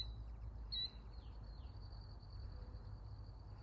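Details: Killdeer (Charadrius vociferus) on June 19, 2024 gives one sharp high note, then a couple of fainter descending calls, over a steady high whine and heavy low wind or traffic rumble.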